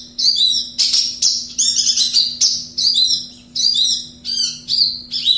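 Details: Energetic song of a Javan bush lark from Kediri, a rapid run of high, sharp twittering phrases and clear whistled notes, nearly continuous with brief gaps, a steady electrical hum faintly in the background.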